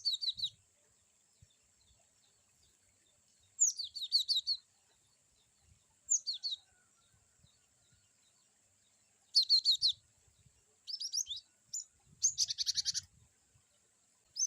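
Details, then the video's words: Cinereous tit (glatik batu) giving varied wucit-wucit song for training other birds: repeated bursts of fast, high downslurred chirps and buzzy trills, with faint low bumps and handling noise. "glatik batu wucit2 bervariasi cocok untuk terapi glatik"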